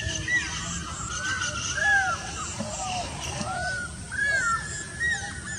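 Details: Stork-billed kingfisher, in a setting that also shows diving, fishing and nesting, giving repeated arched whistled notes that rise and fall, over steady background noise.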